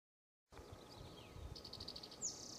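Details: Mountain bluebird at Charles M. Russell National Wildlife Refuge, Montana, USA, overlooking the Missouri River: a thin downslurred whistle, then a quick run of about eight soft high notes and a sharp high chip, over a low outdoor hum.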